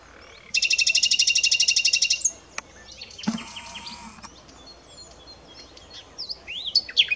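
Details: Common nightingale delivering a loud, very rapid machine-gun trill of identical notes for about one and a half seconds, then a dense buzzy burst and quieter scattered whistles and slurred notes.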